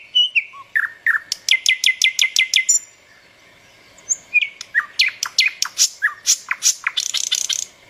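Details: Birds twitter with a fast, evenly spaced series of bright chips, then a short pause followed by varied downslurred notes and quick high twitters, no other sounds intruding.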